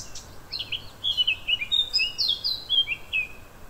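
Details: Eurasian blackcap at Correns on 9 July 2021, singing a quick, varied warble of bright chattering and fluty high notes, tumbling in a continuous run over a faint background hiss.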